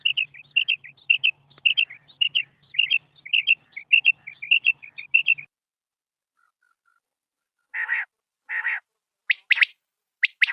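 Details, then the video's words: White quail (batair), a rare pale form kept as a beauty bird, making rapid high chirping notes over a low hum for five seconds, then after a pause a few louder, separate call notes. "sound of white batair | | سفید بٹیر کی اواز | | voice of white batair"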